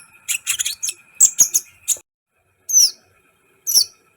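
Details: Vigorously singing sunbird, known locally as kolibri ninja, used as a tutor recording to excite other birds: sharp, very high chirps and twittering bursts, then gaps and two upslurred whistled notes, over a faint steady tone.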